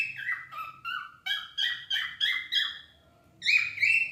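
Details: Cockatiels kept as pets sing a run of quick, evenly spaced whistled notes, about seven in a row stepping up, a brief pause, then a louder wavering phrase.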